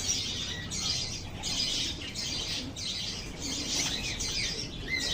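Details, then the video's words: Lovebirds giving continuous shrill chirps in pulsing bursts roughly every half second to a second, with a brief clear whistled note at the close. "RELAXING LOVE BIRDS CHIRPING SOUNDS"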